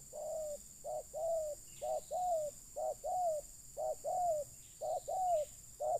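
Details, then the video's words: Spotted dove calling in a luring session for wild birds: a rapid run of short mellow coos, pairs of brief notes alternating with longer slurred coos, about one per second, with faint background hiss. "Mikat Terkukur"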